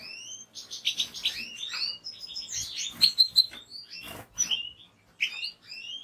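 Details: European goldfinch, a bird kept and bred by fanciers, singing a fast run of twittering, buzzy trills and rising, falling whistled notes with sharp chirps, dense and continuous for six seconds.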